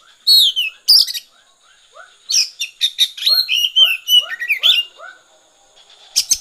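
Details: Oriental magpie-robin singing energetic 'konslet' song, with loud bursts of scratchy high notes, then a long busy stretch of varied chirps and whistles over steady, soft, repeated arched lower notes, and a final sharp burst.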